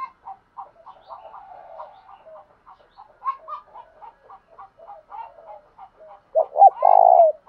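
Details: Male spotted dove's provocative Thổ đồng voice: rapid quiet clicking notes and soft coos build to a loud, sustained coo near the end.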